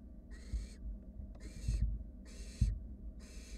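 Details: Wild barn owl nestlings cuddling in their nest box while a sibling works to swallow a rat; four loud, noisy rasping hisses, each under half a second, with soft low bumps of movement between them.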